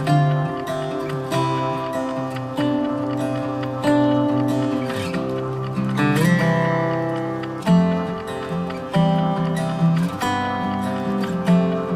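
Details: Acoustic guitar music plays throughout, with no animal sounds audible.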